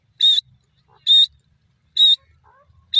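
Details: Grey francolin calling: loud, harsh, high notes, each about a fifth of a second long, repeated steadily roughly once a second, with quiet gaps between.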